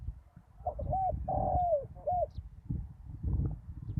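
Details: Decoy spotted dove calling at a ground-level lure site after a storm: a single phrase of soft coos, a short note, a long slurred falling coo, then a brief closing note, with steady low-pitched background rumble.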